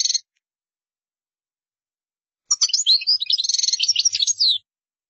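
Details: European goldfinch in qdara song: a brief chirp, then after a pause a two-second run of quick, jangling twitters and fine trills, high and clean against a quiet background.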